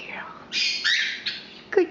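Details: Indoor female Quaker parrot, nearly three years old, giving a harsh, bright squawk that lasts under a second, then a short clipped note, while a person repeats 'good girl' nearby.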